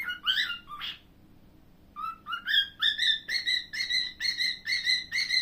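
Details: Pet cockatiel whistling: a few slurred, rising notes, a brief silence, then a steady series of about nine clear whistled notes with a slight upward lilt, repeated roughly twice a second.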